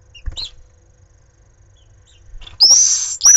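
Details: Pallid swift at its nest in Jerez de la Frontera, Cádiz, Spain, during repeated fights at the nest: soft knocks and clicks, then a loud, harsh, high screech rising in pitch for over half a second, with a second screech starting at the end.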